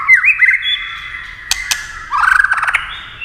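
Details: Tail-tapping clacks prompt a white-rumped shama to sing: sustained whistled notes, then a fast, scratchy, stuttering trill, with two sharp clicks between.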